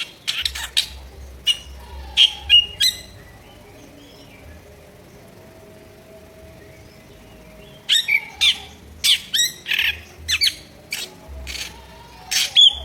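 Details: Drongo singing harsh, rough notes: loud scratchy squawks in quick, irregular runs, a quiet gap of several seconds in the middle, then another burst of grating calls, with a faint low hum underneath.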